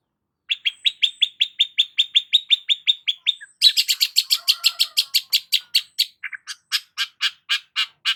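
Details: Long-tailed shrike (cendet) singing gacor: a rapid, even string of clipped chirps, then a brighter, harsher, faster rattle-like series, then slower, spaced chips.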